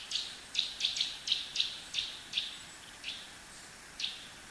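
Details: Eurasian nuthatch in Japan singing its loud "fi, fi, fi" song, repeating a bright, high whistled note about twice a second, spacing out toward the end, over a soft background hiss.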